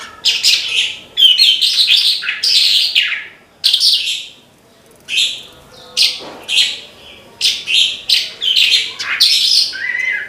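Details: Branjangan, a lark, singing a loud, varied song of rapid chirps, trills and buzzy phrases delivered in bursts with short pauses.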